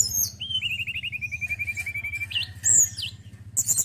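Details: Male forktail, a bird praised for its singing: a long, even string of rapid whistled notes on one pitch, then a couple of sharp upslurred whistles and a closing high rattle, low hum beneath.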